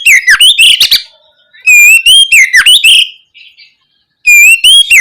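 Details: Loud oriental magpie-robin lure song aimed at young birds, about two and a half phrases, each a bright sliding whistle dissolving into rapid clipped notes, separated by short pauses.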